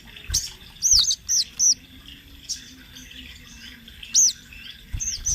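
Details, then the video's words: Sunbird, locally called sogon trotol, kept as a training master for other birds, giving sharp, high, arched chip notes, singly and in quick runs of two or three, with short gaps and some soft clicks between. "Suara Burung Sogon Trotol Gacor Ngerol Buat Masteran sogon bahan"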